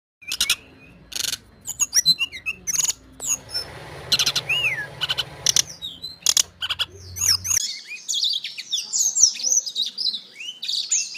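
A black-throated canary sings a fast, high, twittering song of sweet trills and quick chirps. Sharp clicks and a low hum fill the first half.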